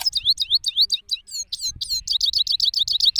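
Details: ['Male goldfinch, Pakistan, outdoors in an open place: fast tinkling song of rising and falling slurred notes that speeds up into a quick, even series of high chirps.']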